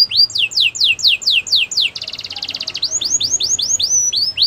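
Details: A Belgian canary's training song of repeated downward sweeps, a short rapid rattling tour, then a series of upward-sweeping whistles, with light background hiss.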